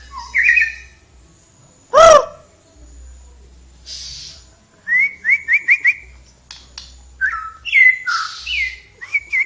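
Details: Flowerpecker in lively song: a loud sweeping whistle, then a fast series of about five rising, ticking notes, followed by varied slurred whistles and chips.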